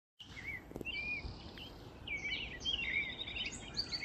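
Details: American coots in a wetland pleading for food: high, thin chirps and short squeaky whistles, some rising then falling, scattered through the clip and growing busier toward the end, over steady background hiss.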